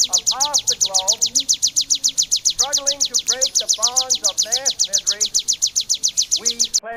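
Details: Bar-winged prinia song, used to tutor songbirds: rapid, very high, evenly spaced chips. Frequent bursts of lower, arched, harmonic notes mix in, and the song stops abruptly at the end.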